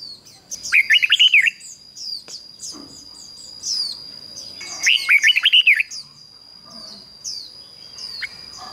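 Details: Decoy red-whiskered bulbul singing to attract wild birds: two bright, rapid warbled phrases about four seconds apart. A steady high whine and scattered thin, descending chirps from other birds run throughout.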